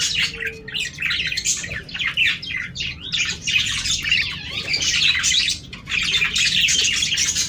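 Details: Breeding budgerigars chatter in a dense, continuous warble of rapid chirps and squeaky notes while mating.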